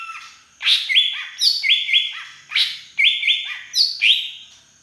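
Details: Green leafbird from Beutong forest, Aceh, singing with drongo-imitating fill-in: loud ringing whistled phrases with flat notes and sharp upward flicks, repeated in quick bursts of about three notes, clean background.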